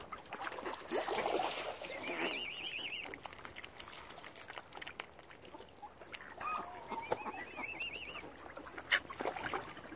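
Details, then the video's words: Angry, hungry mother swan at Lough Neagh, Oxford Island Nature Reserve, County Armagh, Northern Ireland, where algae has killed normal food supplies; harsh noisy bursts early on, then wavering, warbled higher calls twice, over steady background rumble and clicks. "ANGRY MOTHER SWAN. HUNGRY AS ALGAE HAS KILLED NORMAL FOOD SUPPLIES."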